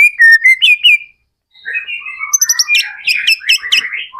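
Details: White-rumped shama in full, energetic song, used as a lure so other shamas answer. Bright whistled notes repeated in quick triplets, then a short pause, then a rapid, varied run of ringing whistles and chirps.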